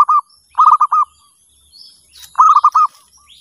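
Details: Zebra dove used as a caller to attract others: short rolling, trilled coo phrases of quick pulsed notes, three bursts in a few seconds, over a steady high electronic whine.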